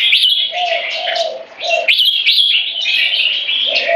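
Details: Two caged Red-whiskered Bulbuls, 3.5 and 7 years old, competing for dominance with butir frequency singing: crisp whistled phrases with sharp upslurs, broken by a short pause, over recurring lower steady notes.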